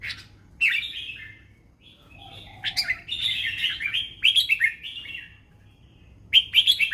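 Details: Red-whiskered bulbul performing the fancy 'mae bot lak wai' song pattern: lively, gurgling warbled phrases with sharp upward flicks, separated by short pauses. A faint lower whistle appears midway.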